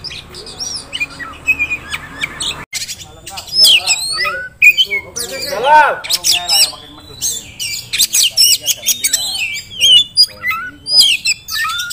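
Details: Caged Oriental magpie-robin kept as a contest prospect bird, delivering a varied, chattering song of sharp high whistles, slurred notes and harsh squawks in quick bursts with short pauses, including one louder rasping note midway through.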